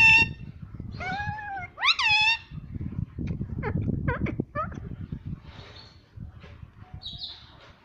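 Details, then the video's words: Pet parrot talking, said to repeat "Mummy": a few loud harmonic, nasal syllables early on, one sweeping upward, then short sharp clicks and faint squeaks over steady low background rumble. "Talking parrot Mummy Mummy - tota - mitthu mitthu - pattu Parrot Talking"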